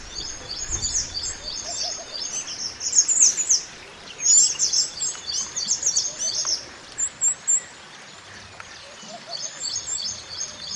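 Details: Wild mountain white-eye singing, kept as a master song for training other birds: lively runs of high, warbling chirps, loudest mid-way, then brief separated notes and softer twitter, over a constant hiss.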